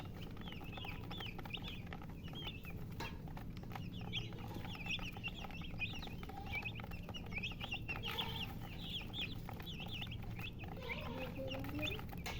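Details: Chicks keep up irregular high chirping, short slurred peeps in loose clusters, with a low background hum and occasional faint clicks.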